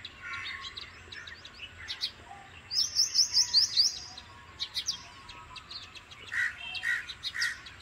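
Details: Bank myna calling: a quick burst of about six high, rising chirps in under two seconds, set among scattered sharper clicks and squeaky notes before and after.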